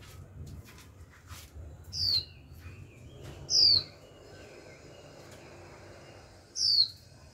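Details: Kept female Japanese white-eye, young, calling repeatedly to excite males into singing: three clear, high, falling whistles at uneven gaps, with faint clicks and low room noise behind.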